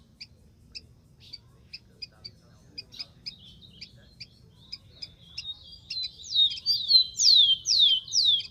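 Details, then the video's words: In the wild, a rufous-collared sparrow repeats crisp double chips about twice a second, then breaks into a phrase of high whistles and several loud falling slurs. "BURUNG KICAU"SPARROW RUFOUS"(KICAU MANIA)Full Gacor di alam liar"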